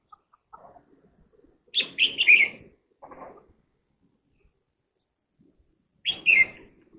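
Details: Red-whiskered bulbul singing: short bursts of three or four rich, warbling notes around one second long, separated by pauses of several seconds, with a faint lower chirp in between.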